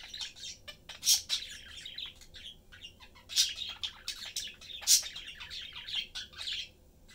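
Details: Caged parakeet family of three, chatting while eating. Constant twittering warble with clicks and grating notes, punctuated by a few shrill chirps, over faint background hum.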